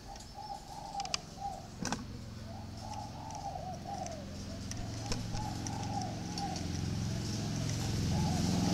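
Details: Spotted dove in a cage, paired with another in a bamboo or iron cage, giving soft, low coo phrases over a growing low rumble and hum, with a few sharp knocks.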